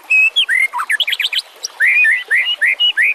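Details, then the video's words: Master recording of White-rumped shama song for teaching other cage birds: varied fast whistled phrases, rising and falling slurs, a short gap, then loud clear swooping whistles. "Suara kicau burung murai batu. Masteran buat:cendet plentet trocok cucak ijo rowo jalak."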